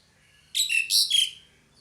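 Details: Pied myna, female calling male: three harsh, raspy squawking notes with whistled slides, delivered in under a second, then silence.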